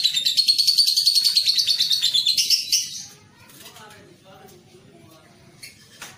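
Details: Juvenile lovebird on a training recording aimed at fast, long ngekek chattering; a rapid, evenly pulsed shrill trill for three seconds, slightly rising at the end, then quiet, with faint scattered chirps.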